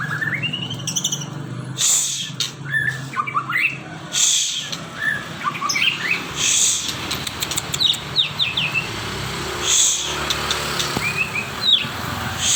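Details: Caged magpie-robin singing in a noisy setting: scattered clear whistled notes and short rising and falling phrases, some high chirps, over steady low hum and background noise.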